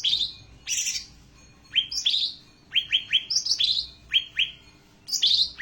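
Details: Ashy tailorbird song used as a tutor recording for training songbirds: loud bursts of high buzzy notes alternating with runs of clear, sharply downslurred whistles, delivered in quick clusters separated by brief pauses, against a quiet background.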